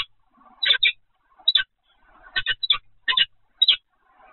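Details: Peregrine falcon recorded at the Evoluon site on 7 February 2020, 15:55, giving hoarse, grating double notes roughly every half second to second, with faint low murmuring between calls.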